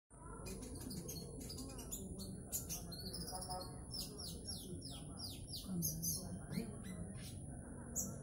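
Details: Konin bird singing in trotol style: sharp, high whistled downslurred notes and quick chirps in rapid uneven bursts over a steady low hum, with a constant high whine and faint voices in the background.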